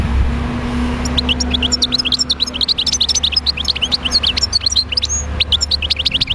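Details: Wild European goldfinch, Médéa, singing a continuous, lively stream of tinkling twitters and chirps for about five seconds, with a steady low hum underneath.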